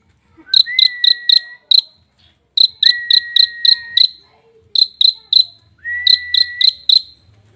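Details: Prenjak (prinia) song offered as a rich tutor recording for songbirds: bursts of short, sharp ticking notes repeated about four per second, each burst overlaid by a long, level, thin whistle, with pauses between phrases.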